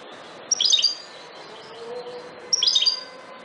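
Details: Two brief bursts of sweet, high chirruping song from a wild European goldfinch (Carduelis carduelis parva), spaced about two seconds apart, with a faint low tone and steady hiss between them.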